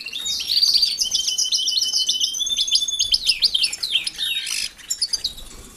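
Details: Aviary-kept European goldfinches living with canaries: a loud, fast, buzzy twittering phrase of tightly packed high notes lasting about four and a half seconds, then a few scattered chirps.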